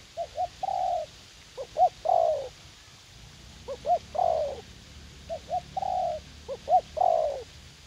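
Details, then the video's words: Young decoy spotted dove in a garden in U Minh, used for dove trapping and keen to fight; rhythmic soft cooing, each phrase two quick hoots and a longer descending coo, about four phrases. "Gác Cu Gáy"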